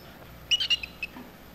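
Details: A canary with a brain (HVC) lesion that cannot produce learned song gives four or five faint, brief high chirps within half a second over a quiet background.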